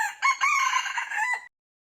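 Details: Red junglefowl cock crowing, a decoy call used for trapping: one loud crow of about 1.3 seconds, harsh and strongly harmonic, opening with a short note, then a sustained wavering middle and a drawn-out falling end. Clean, with no other sounds.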